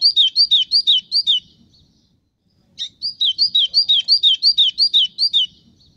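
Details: White-throated seedeater (golinho) from Brazil: the end of one rapid whistled phrase, a gap of over a second, then a new run of repeated falling chip-whistles at a steady quick tempo.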